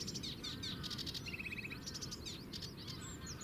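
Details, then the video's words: Sedge warbler song from the Zouweboezem, Netherlands, taken at a distance with a compact camera: fast scratchy chattering phrases with a short run of even, repeated lower notes in the middle. "Heldere zang van een rietzanger"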